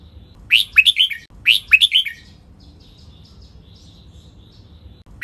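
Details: Red-whiskered bulbul giving its 'bern' doubled song for bird training: two clear warbled phrases, each a rising whistle followed by three falling notes, then quiet until another phrase begins at the very end.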